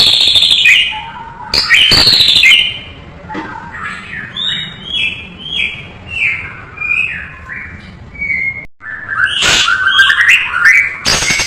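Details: White-rumped shama with a full, rich tutor song: loud harsh bursts and high notes at first, then a long run of rising-and-falling whistled phrases, ending in mixed chatter and whistles.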